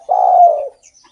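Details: Spotted dove in active song, used to lure other doves: a single drawn-out, husky cooing note lasting just over half a second, steady and slightly falling, then silence.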